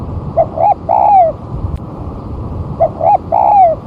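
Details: After one month of moulting, a spotted dove tried on the ground sings readily as a lure: two identical phrases about 2.5 seconds apart, each a brief coo, an upswept note and a drawn-out falling coo, with low background rumble.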